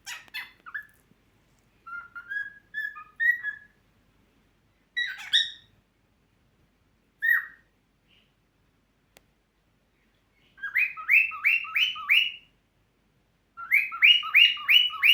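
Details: A happy cockatiel whistles in short clear phrases, then bursts of rapid, rising, repeated chirps.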